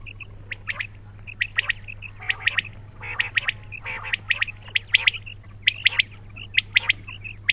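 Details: Bright, clipped quail chirps sound in quick sequences, interspersed with a few buzzy, broader notes, repeating about once per second amid a constant low hum.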